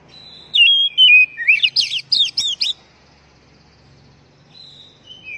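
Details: Song of an oriental magpie-robin, played to stimulate caged birds to sing. A long, wavering whistle slides downward, followed by a rapid run of six or seven sharp, varied chirps, then quieter, high, level whistles after a pause.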